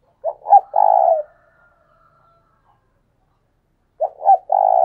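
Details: Spotted dove decoy calling thúc sung: a throaty three-part coo of two short notes and a long buzzing note, a faint high tone trailing after. A second coo begins near the end, almost four seconds later.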